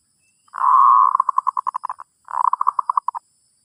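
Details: Zebra dove song for teaching a new bird: a long burry coo that breaks into a fast, rolling stutter of pulses, followed by a second rolled phrase after a short gap.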